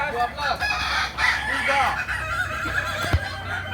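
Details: Kukuak Balenggek cocks crowing at a practice contest in Ampang Kualo, Kota Solok, May 2024: a short stretch of several overlapping bright crows, with a sharp knock near the end and low hum beneath.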